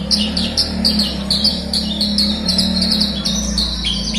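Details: Horsfield's bush lark song played as a lure to prompt a silent bird to sing: rapid, repeated high chirps and short whistled notes in a steady stream, over a constant low hum.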